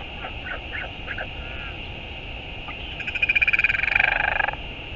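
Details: Northern royal albatross at its nest in New Zealand on 11 March 2022, as one bird returns and another departs: a few short notes, then a loud, fast rattling burst of pulses lasting over a second, over steady wind noise.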